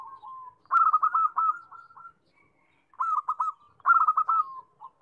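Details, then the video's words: Zebra dove giving soft, rolling coos: rapid stuttering trilled notes followed by a drawn-out tone, in three phrases about a second apart, with no other clear sounds. "Suara perkutut"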